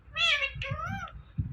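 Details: Parrot mimicking speech, saying "Mithu": a harsh, nasal first syllable and a longer, gently rising and falling second syllable, over a low indoor rumble.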